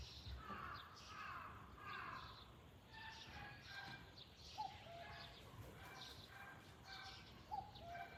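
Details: Cuckoo calling in the open, with faint low two-note calls, each a higher note falling to a lower one, repeated a few times. Many other birds chirp and sing louder over a steady outdoor hiss.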